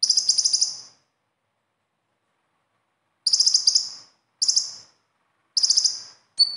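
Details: High, rapid trilled phrases from a konin or kolibri ninja sunbird, each under a second, four bursts after a long gap, the last a thin whistle. Besetan song used to get caged konin singing.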